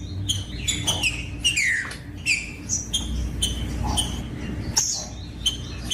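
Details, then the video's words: Green-winged saltator song played to warm up and stimulate other saltators to sing: clear whistled notes slurring downward around the upper-middle range, in short phrases separated by sharp clicks, over a steady low hum. "COM TRINCA FERRO CANTANDO O MELHOR VÌDEO PARA ESQUENTAR TRINCA FERRO"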